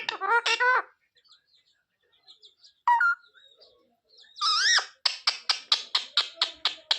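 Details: Parrot uttering a brief word-like phrase and a soft note, then a wavering syllable followed by a fast series of about a dozen sharp repeated clicks.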